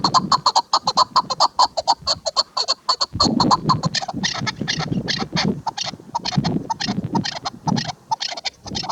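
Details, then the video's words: Female chukar partridge giving rapid, evenly spaced clipped notes that then run into a dense, continuous chatter of overlapping clucks. Low background rumble is present throughout. "KEKLİK sesi shikari chakor sound chakor ki awaz zirk madi awaz national bird partridge"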